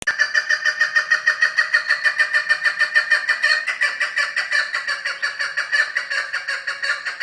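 A chukar partridge gives a steady run of harsh, clucking chuck notes, about three each second, loud and unbroken throughout.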